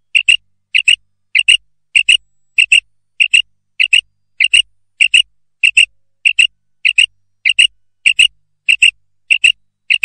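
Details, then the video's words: A female common quail, in a lure recording used for trapping quail, gives short, high two-syllable notes, evenly repeated about twice a second with no other sounds. "Манок на перепела 1 час (голос самки)"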